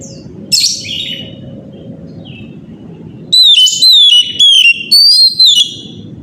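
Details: Morning song of an Oriental magpie-robin, used to prompt other birds to sing: after a brief rough note, a run of loud, clear, downward-sliding whistles in quick succession, with a constant low rumble behind.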